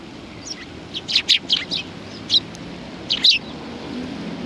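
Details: Group of sparrows on a shrine bench at Tenmangu, Japan, 30 January 2020: short clipped chirps in a quick burst of four, a single chirp, then a doubled chirp near the end, over low outdoor hum.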